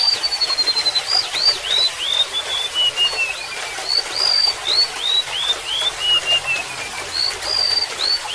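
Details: Golden-bellied gerygone singing sweet, high whistles: long drawn notes, clusters of short upward-slurred whistles and gently descending runs, phrases following closely one after another against a constant background of splashing, trickling water.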